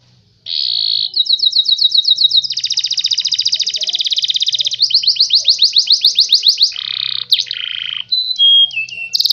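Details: Canary song used as a lure to stimulate other birds to sing and imitate it: loud, fast trills of repeated chirps, switching between buzzy rolls, sweeping notes and short pure whistles, with no other sounds.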